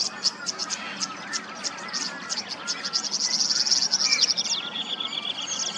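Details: Tawny grassbird from Queensland, Australia: steady high-pitched chipping, roughly three to four notes per second, swelling into a dense excited burst before easing, with faint lower warbles from surrounding birds.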